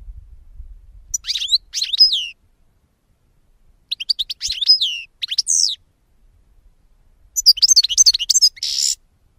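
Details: European goldfinch singing in short, separated phrases of high, tinkling twitters and downward-slurred notes, ending with a quick trilled run and a brief buzzy note, in otherwise silent surroundings.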